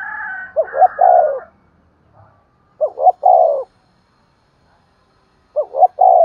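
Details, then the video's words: Decoy spotted dove giving its morning call to draw in wild doves. Three repeated phrases of two short coos and a sustained mellow coo are spaced roughly two and a half seconds apart. A higher, brighter call overlaps the start. "Chim cu gáy mồi gáy gọi kích bổi buổi sáng hiệu quả nổi lẹ mỗi ngày"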